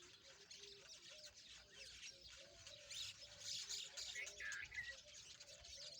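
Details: Rosy-faced lovebirds, also called peach-faced lovebirds, playing together. Many dense, fast, high chirps and squeaks pour out almost nonstop, with a few brief squawks. A steady low hum runs underneath.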